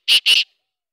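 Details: Morning call of a black francolin: two loud, harsh, rasping notes in quick succession, each about a tenth of a second, then silence.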